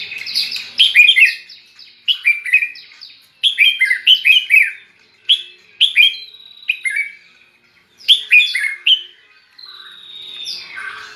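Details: Caged white-rumped shama kept close to red-whiskered bulbuls sings bulbul-style: bursts of rapid, chirpy warbled notes separated by short pauses, ending in a thin drawn-out whistle.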